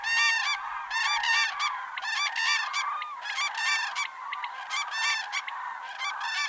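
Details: Common cranes in autumn, several birds giving loud, harsh, trumpeting bugles with rich harmonics, overlapping in irregular bursts roughly once a second.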